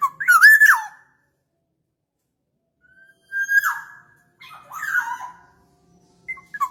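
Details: Black-naped oriole song used as a lure: several clear, fluty whistled phrases separated by pauses of one to two seconds, some slurring down at the end, with no other noticeable sounds.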